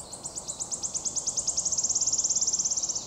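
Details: Song of a wood warbler on 22 May 2023, a bird that often sings while flying. Very high, sharp ticks repeat faster and faster, about thirty in three seconds, merging into a steady, shivering trill.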